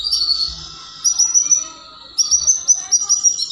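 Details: Canary mating song used to stimulate other canaries: high thin trills and rapid chirping notes, pausing briefly, then resuming with quick repeated sharp phrases.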